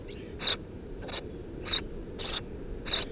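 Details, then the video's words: Nestling Eurasian tree sparrows, three young in a nest beneath a house roof, 2 June 2017, call with five sharp, harsh chirps at uneven intervals of about half a second, over constant low hum. "Воробей полевой 170506 1 под крышей дома 20170602gp4k 3 чирикающие мордашки"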